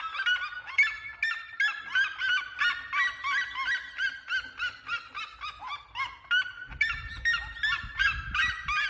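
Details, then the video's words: Red-legged seriemas give loud, yelping, goose-like notes, about three each second in a steady chorus, with a low rumble of wind joining near the end. "O canto das seriemas"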